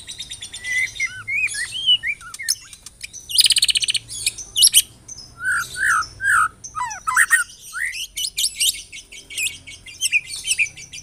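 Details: Lure song (pancingan) of a White-rumped shama for provoking other shamas to sing: varied phrases mixing curling whistles, dense buzzy rattles and sharp upslurs, with short pauses between bursts and faint background hum.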